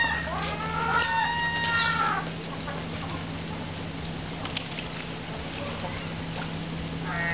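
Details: Herring gulls at Riga Zoo, Latvia, trying to reach fish sunk deep in a pool so that only cormorants can get them. Harsh, harmonic, downslurred calls repeat in the first two seconds, then a steady low hum and background noise with faint calls near the end.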